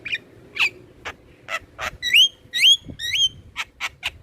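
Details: Black-winged myna song meant to set captive birds singing: spaced clicks and short notes around three loud whistles that rise then flatten, about two notes a second.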